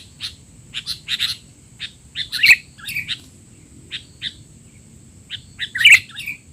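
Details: Noisy tutoring calls of a sooty-headed bulbul meant for young birds in training: scattered short, bright chirps in small bursts with pauses between them, two louder notes standing out, over a quiet hum.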